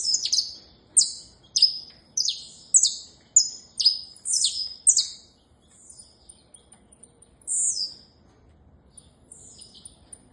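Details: Saffron finch repeating sharp, descending chirps in a steady run roughly every half second, then tapering into thin high whistles and one louder slurred note; otherwise quiet.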